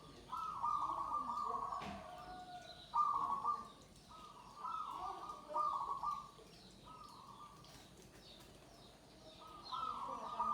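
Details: Zebra dove (perkutut) singing: steady, tonal cooing phrases about a second long, repeated several times with short gaps, over faint background chirps and a brief click.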